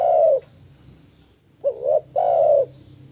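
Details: Spotted dove (tekukur) cooing, recorded to lure and train doves to sing: a strong low coo, then a short wavering note and a longer, louder coo. Faint low hum underneath.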